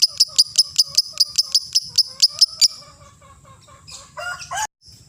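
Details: Lovebird ngekek song, played as a lure to train young, juvenile and adult lovebirds: a run of about twelve sharp, high chattering notes in quick, even succession for under three seconds, then a brief rougher, lower burst and quiet.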